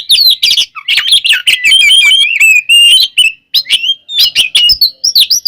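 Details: Oriental magpie-robin (kacer), caged, in an aggressive fighting song meant to provoke others. A dense, rich tumble of whistled slurs, trills and sharp chips, loud and nearly continuous, with one brief pause.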